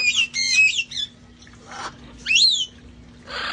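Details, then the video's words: Parrots from a flock playing outdoors before the weather turned cold; loud whistled calls with quick rising and falling sweeps, a harsh squawk burst in between, and a steady low hum underneath. "sights & sounds of parrots having fun outside"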